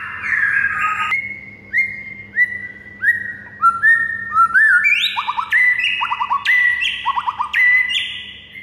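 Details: A white-rumped shama sings in the morning for training other birds: a series of falling whistles gives way to fast repeated phrases with clusters of rapid rising chirps.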